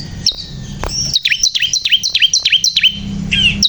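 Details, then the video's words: Bar-winged prinia, known locally as ciblek kristal, singing persistently (gacor): a series of high, sharply down-slurred whistled notes repeated about three times a second, after a brief high opening note; faint low hum beneath. "burung ciblek kristal gacor"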